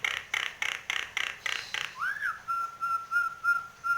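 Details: Nias hill myna in full song while bobbing its head: a rapid series of harsh, broadband pulsed notes about five per second, then a single upslurred whistle leading into a long, steady, pure whistled note.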